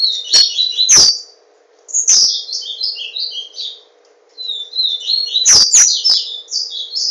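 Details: High, rapid, scratchy warbling from a caged yellow-bellied seedeater (papa-capim) in Garanhuns, Pernambuco, Brazil. Two long song bursts are separated by a pause, with sharp clicks and a low background hum.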